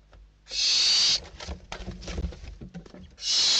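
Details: Nestling barn owls in Spain battling over a delivered bird, December 2023; two loud screeching hisses framing a stretch of thumps and scuffling movement.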